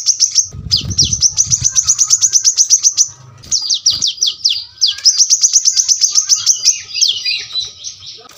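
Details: Brown-throated sunbird song: bursts of fast, sharp, very high notes in close sequence, interrupted by short gaps and swooping notes, with a low rumble early on.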